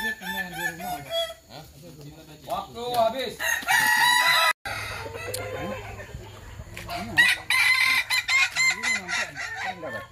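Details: Kukuak Balenggek chickens compete in a crowing match in Sawah Lunto. Layered crows with rising and falling notes mix with bursts of broadband noise and a steady low hum. There is a brief dropout midway.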